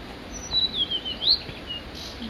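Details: A male Blue-and-white Flycatcher on Mount Migita delivers a single high, clear whistled phrase of slurred notes that dip and rise, lasting about a second, with faint hiss behind.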